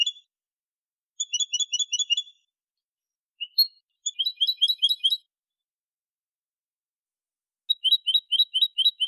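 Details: European goldfinch (Carduelis carduelis) song: bursts of rapid, tinkling high notes in quick repeated trills, separated by short pauses.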